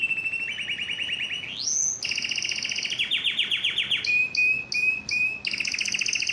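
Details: Yellow canary in song: a steady mid-pitched rolling tour, a rising slide into a high trill, fast sweeping notes, then short clipped whistles repeated about twice a second before a closing trill.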